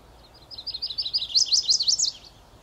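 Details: A male chestnut-sided warbler sings its unaccented-ending (Type II) territorial song, a rambling run of about a dozen sweet slurred notes growing louder toward the end, over faint hiss; foggy early morning, 30 May 2014, Beech Hill Preserve, Rockport, Maine.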